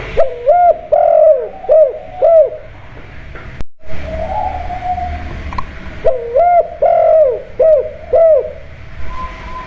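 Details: Lure call of a spotted dove kept at home, kuk style, used to draw other doves into calling: two bursts of four to five arched, hollow coos, each note bending up then down, separated by a pause with humming background.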